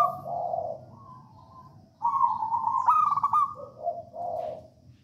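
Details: Singing local Javanese zebra dove, kept as a lure for other doves: soft coos, then a loud sustained note running into a fast rippling trill, followed by lower cooing notes.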